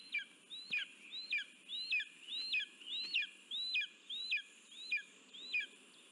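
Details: A lesser spotted eagle calling at the nest as food is brought in on 9 July 2024, with ten evenly paced, loud, high yelps, each bending up and then sharply down, about two per second.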